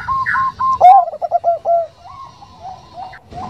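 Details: Bangkok zebra dove, female calling a male in a soft 'nutut' voice: a fast, rolling run of coos peaks in loud, pulsing notes, followed by quieter, drawn-out single coos.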